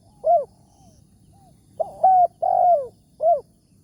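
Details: Spotted dove, the wild target of a morning decoy-trapping outing, noted for its big voice; a closing coo, a quiet gap, then a full four-note phrase with a long downward-sliding third note.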